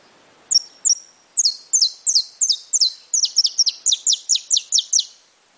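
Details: Saffron finch, brown plumage, opening with two clear high whistles, then a long accelerating string of bright, downward-slurred chirps, about eighteen in all, over a quiet background.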